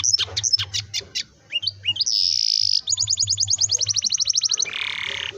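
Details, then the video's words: Canary singing a long rolling song used to prompt young canaries to start singing: quick high chips, rising sweeps, a buzzy sustained trill, then a fast even rattle of repeated notes and a harsh buzzy burst at the end. "kenari gacor ngerol panjang ini 100% ampuh buat PANCINGAN KENARI paud belajar bunyi/malas bunyi"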